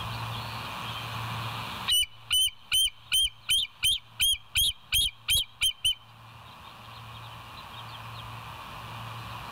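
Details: Night recording of West End bald eagles, 16 September 2023 at 22:50, from a nature cam: a run of eleven bright, high, whistled piping notes roughly every half second, framed by steady background hum.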